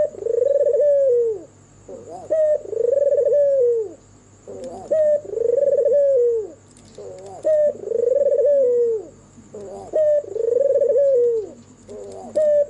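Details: White albino turtle dove with red eyes singing after dark, five rolling coos at a regular pace, each starting with a short abrupt note and ending in a downward slide, a faint high whine running throughout.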